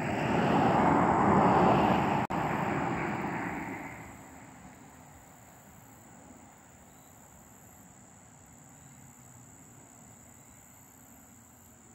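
A broad rumbling roar, like a passing vehicle or aircraft, fades after about four seconds into quiet background hiss with a faint steady high whine.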